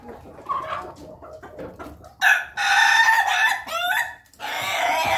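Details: Ayam Ketawa chickens feeding as a group inside a coop: quiet clucks first, then a strong, rich crow of about two seconds with a wavering, laughing middle section, and a second loud crow begins just after.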